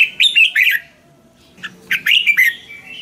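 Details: Thai Red-whiskered bulbul song for exciting caged birds: two rapid bursts of sweet, slurred whistles rising and dipping, the second ending in a drawn-out note, with a short silence between them.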